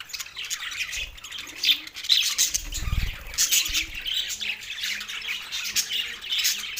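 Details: A pair of male budgies in a steady twittering chatter of harsh squeaks and fast clicks, with a brief low thump near the middle.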